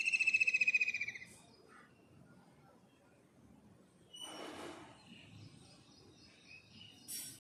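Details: Kingfisher call heard at the start: the tail of a quick, high, pulsed trill that fades after about a second, followed by quiet hiss, a brief broadband rustle midway and a short sharp noise at the end.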